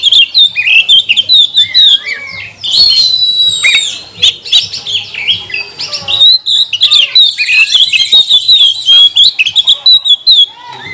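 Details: Oriental magpie-robin singing as a lure to make other magpie-robins sing: varied, energetic whistled phrases, harsh chattering bursts and a held high note near three seconds, continuing into rapid repeated twitters; soft low hum underneath.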